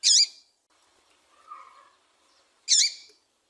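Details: Female double-collared seedeater used to get males singing: two harsh, twisting chirps nearly three seconds apart, with a faint lower warbling sound in between.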